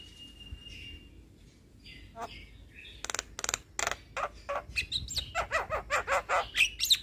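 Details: Singing young Javan myna, recorded to teach and trigger song in other mynas; a thin steady whistle, scattered notes, then an accelerating series of harsh chattering and whistled notes.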